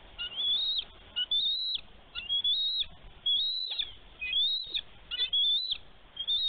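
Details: Female bald eagle at a Minnesota nest on a snowy day, 11 March 2023, defending her egg from a young eagle diving near the nest. Shrill, high piping notes fall in quick broken bursts about once a second, with faint background rumble.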